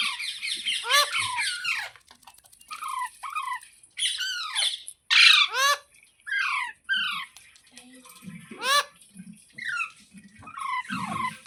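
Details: Indoor green parrot delivering steady runs of loud, harsh, falling squawks and shrieks roughly every second, with a few quieter low sounds between.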